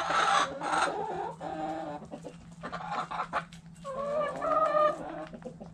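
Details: Backyard coop chickens, hens clucking and roosters crowing. Rich, harmonic clucks and drawn-out squawking notes come in loud bursts. Near the end a longer, wavering call stands out, with a faint low hum beneath.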